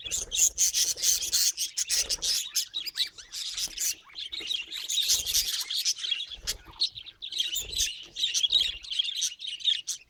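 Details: Parrot sounds in nature: a busy flock-like stream of high, twittering chirps and rasping notes, rising and falling in intensity, with faint low thumps now and then.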